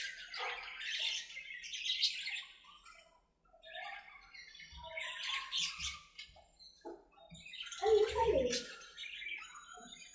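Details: Several budgerigars in their aviary chatter to one another while playing, giving bursts of scratchy warbling and squeaky notes, with a brief lull near the middle and some low thumps.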